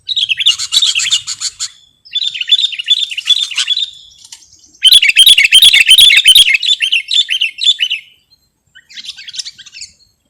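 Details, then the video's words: Sooty-headed bulbul, recorded for luring and song training, gives bubbly warbled phrases of rising and falling notes, three loud bursts separated by pauses, the middle one strongest, with a softer phrase at the end. "Suwara Mp3 Sangat Cocok Buwat Pikat/ Masteran Burung Kutilang"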